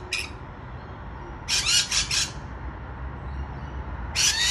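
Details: Rainbow lorikeets on a balcony give harsh, high screeching bursts: a short squawk, a rapid cluster of three shrieks, and another near the end, over low background hum.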